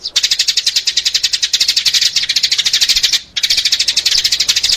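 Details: Sparrows chirping for luring sparrows: a near-continuous stream of fast, high, repeated chirps, with one short silence after the middle.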